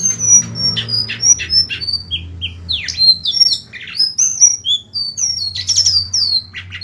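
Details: Golden-bellied gerygone song used as a tutor recording for songbirds: a long run of sweet, high, thin whistles, many slurring downward, mixed with sharp chips and brief rapid notes, over a low steady hum.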